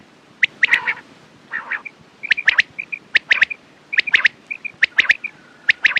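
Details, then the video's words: Quail calls: harsh nasal bursts, then repeated triplets of crisp, clicky notes with soft paired whistles between groups and a faint long tone near the end. "Quails sound best sounds use morning and night time mast awaz saaf awaz"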